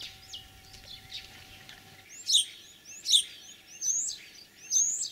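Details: Spring song of a common starling imitating other birds, Tver region, Russia, 9 April 2023: quiet chirps, then loud slurred whistles sweeping up and down, repeated roughly every 0.8 seconds.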